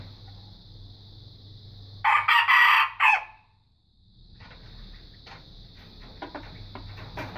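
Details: A young red junglefowl, growing up and learning to crow, gives one short, broken, hoarse crow lasting about a second, over a steady high insect-like hum with scattered clicks.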